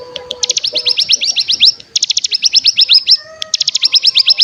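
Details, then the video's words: Decoy song of the cigun, the mountain ciblek, meant to stir other birds into calling and trilling (ngebren). Dense bursts of quick, high upswept notes in three runs broken by short gaps, with faint lower whistles. "Pancingan Cigun Bahan Agar Bunyi Langsung Ngebren Paling Ampuh"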